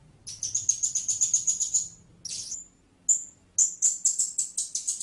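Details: Blue-crowned hanging parrot: a quick string of high, shrill chipping notes, several rapid per second, a pause, then single squeaks leading into another fast run.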